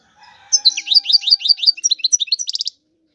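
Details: European goldfinch, described as a clean royal goldfinch singing without pause: a rapid run of bright, sliding twittered notes, then a quick burst of buzzy repeated trills near the end, with a faint low hum beneath.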